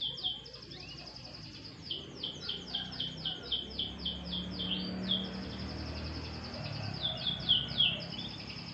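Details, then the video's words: Sunbathing canary produces a rapid series of high downslurred chirps, then quieter warbling and a final burst of loud chirps, over a low hum. "burung kenari jemur tipis tipis"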